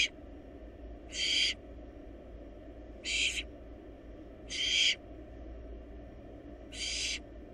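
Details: Wild barn owl nestlings in a monitored nest box, swallowing a large rabbit, give fainter hoarse hissing screeches, widely spaced at about one every 1.5 to 2 seconds.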